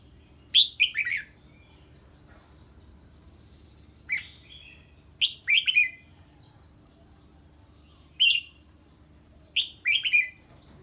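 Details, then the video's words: Red-whiskered bulbul singing on hearing an unfamiliar bird: short bright phrases of two to four clear slurred whistles, repeated every two to four seconds over quiet background. "Chào Mào Hót Ché Khi Nghe Tiếng Chim Lạ"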